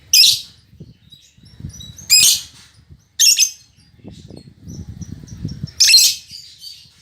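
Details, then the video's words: Spirited female lovebird, described as fighter-minded and chatty, producing scattered loud rasping squawks separated by quiet thin squeaks, with some low background rumble. "Suara Burung Lovebird Betina Fighter"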